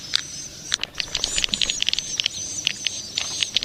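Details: Young swiftlets make scattered, sharp high clicks and pips. A faint, thin whistle runs beneath them.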